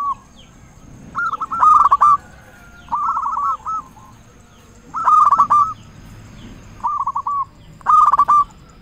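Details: Local zebra dove in full song, strong voice, played to provoke silent doves into singing: five stuttering cooing phrases about every one and a half seconds, alternating louder and softer.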